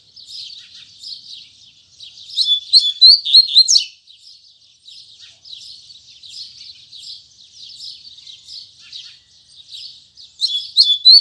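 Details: Double-collared seedeater singing firmly at dawn in the Tui Tui Zel Zel style. A steady run of soft, buzzy high twitters is broken by loud, quick phrases of sharp whistled and sliding notes near the start and again at the end.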